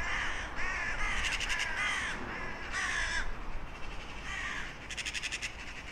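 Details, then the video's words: Several crows cawing in a compilation: hoarse, raspy caws coming in quick, irregular bursts, some overlapping, over a constant noisy background. "Sunete de ciori. Sunete de pasare cioara."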